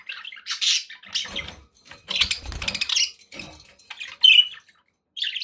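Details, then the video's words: Budgies giving scattered scratchy chirps and squeaks with some rustling and low thumping movement noises, ending with a sharp whistled squeak. "9 hours of budgie sounds to keep your pets in happy bird company"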